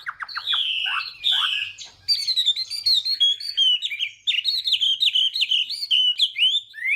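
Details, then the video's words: Chinese hwamei morning song used to train the voice and spur singing, beginning with descending slurred notes, then a brief pause followed by quick, varied whistled phrases with sharp upward flicks. "hoạ mi hót sáng luyện giọng kich bổi sổ giọng chim hót hay mỗi ngày"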